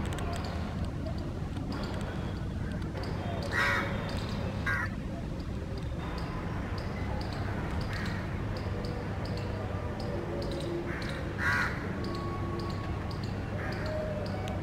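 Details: Rose-ringed parakeet pair selecting a nest hole between electric wires give a few harsh, screechy squawks over a steady low rumble.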